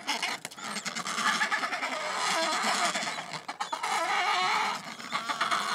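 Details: Adelie penguins in a sudden minutes-long squabble at a colony on the Yalour Islands, Antarctic Peninsula; many overlapping coarse, rattling brays and squawks with clattering noises, nearly unbroken.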